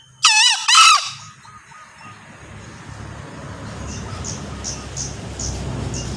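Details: {'__no_key': 'A male green junglefowl gives a loud, rasping two-note crow in the first second, followed by a steady low rumble of background noise and faint high ticking.'}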